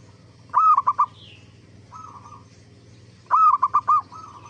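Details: Zebra dove singing actively, recorded as a lure to make other zebra doves answer: a mellow cooing phrase, one long slurred note then three quick short notes, given twice about three seconds apart, with fainter softer trills between and a steady low hum.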